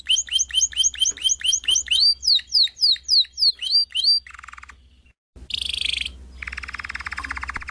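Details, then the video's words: Canary singing; a series of high whistled slurred notes repeated quickly, then descending swept phrases, followed by a low buzzy churr, a brief pause and a harsh rattling tour. "Chant Canari CD 2016- اسطوانة تغريد كناري جاهزكاملة"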